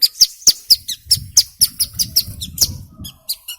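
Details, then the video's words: Hill prinia singing actively, a lure recording meant to prompt young birds to sing: a fast run of sharp, high chirps, about four per second, each a bright downward flick, with a faint low rumble in the background. "Suara Asli Ciblek Gunung Gacor"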